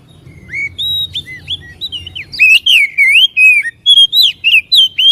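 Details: White-rumped shama singing, used to excite a caged bird to sing and fan its tail; softer whistles at first, then loud, swooping whistled phrases with high chips repeated in quick succession.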